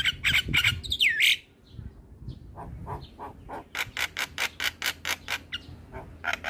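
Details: Javan myna kept for training other mynas: harsh chatter with a swooping whistle, a pause, then an even run of dry clicking bursts.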